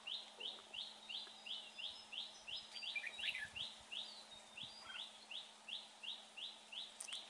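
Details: Fine-voiced red-whiskered bulbul in a trapping setup, giving a long, regular series of identical short upslurred chirps, roughly three per second, with a few overlapping notes midway and a low constant hum.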